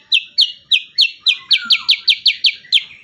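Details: Sooty-headed bulbul song for training captive birds: a fast, even series of loud, sharp high chips, about four a second, with a faint lower whistle underneath in the middle.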